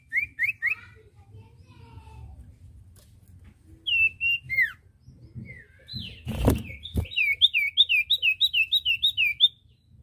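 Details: Common iora song used as training audio for captive birds: a few whistled upslurred notes, then a rapid run of sharp chirping notes repeated about three per second, with a low background hum and a brief knock.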